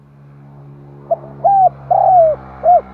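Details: Spotted dove lure call meant to bring in wild doves: one cooing phrase, short note, two longer coos and a brief arched coo, heard over a steady low electrical hum.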